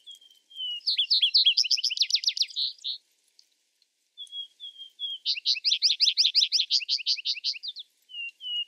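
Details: Loud Vesper sparrow song given twice, each beginning with a couple of clean, level whistles and rushing into a dense, rhythmic trill of buzzy notes about two seconds long, a third song just starting at the end.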